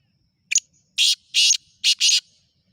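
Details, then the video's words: Black francolin calling: a brief scratchy click followed by four loud, harsh, rasping bursts in quick succession over under two seconds, the last two nearly run together, against a quiet background. "کالا تیتر کی مکس آوازیں"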